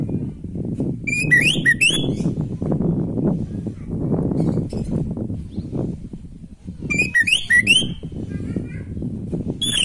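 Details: Orange-headed thrush song used to spark breeding drive in sluggish birds: two short bursts of bright, chattering notes, one early and one near the end, separated by low murmuring background noise.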